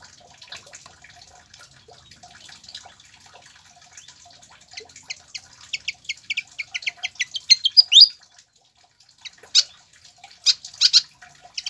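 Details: Pied fantail song, played to coax captive birds into singing: soft twittering builds into a quickening series of short bright notes, peaking in a sharp rising flourish, followed by a few loud chips.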